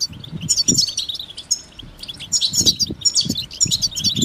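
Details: Motivating European goldfinch song: lively, high-pitched twitters and chirps in short bursts, accompanied by repeated low thumping knocks beneath the singing.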